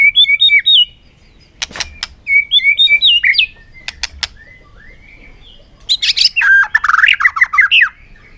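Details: White-rumped shama singing a fighting song in afternoon sun, showing its búng cầu display: quick whistled phrases repeated twice, crisp snapping clicks between them, then a tumbling burst of varied rich notes.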